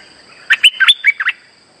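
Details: Streak-eared bulbul lure song used in trapping, a rapid phrase of about six bubbly, slurred notes wavering between mid and high pitch, over a constant faint high tone.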